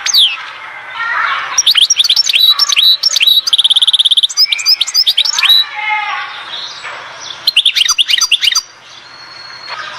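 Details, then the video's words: European goldfinch song recorded at Oued Zhour, Skikda: bright twittering phrases with a sustained buzzy trill near the middle, a few liquid slurred notes, a pause, then another quick twittering burst. "تغريد حسون واد الزهور سكيكدة"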